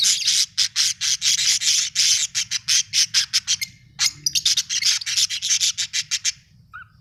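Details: Domestic budgies at home chatter in a rapid run of sharp, high, evenly spaced chirps, with a brief break near the middle and a low background hum.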